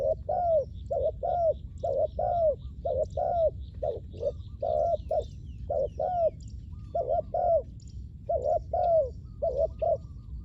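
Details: Spotted dove used as a decoy for luring wild doves, giving low hollow coos in pairs, a short flat note then a longer falling one, repeated steadily for ten seconds, with faint high chirps of other birds behind.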